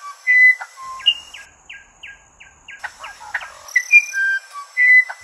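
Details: Musician wren: pure whistled notes, then a steady train of about eight short identical notes, followed by scratchy chatter and more long sweet whistles at shifting pitches.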